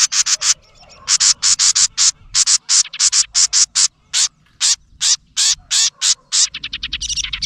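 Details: Angry house wren scolding near its nest, where a GoPro camera had been placed close up: harsh, buzzy chatter notes repeated rapidly, about two or three per second, in steady bursts with short pauses.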